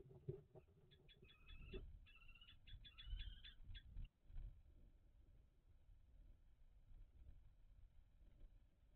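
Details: Calls of common kestrels in their nest box, 17 May 2023, around a food transfer; a quick burst of clipped, chattering notes at a steady rate lasting about three seconds, over constant low rumbling and scraping.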